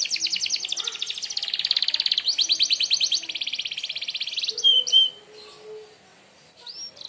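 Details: Canary singing a 'merlok' sharp shot for bird mastering: an even, fast mechanical trill held for several seconds, followed by a few short sharp whistled notes and fading quiet.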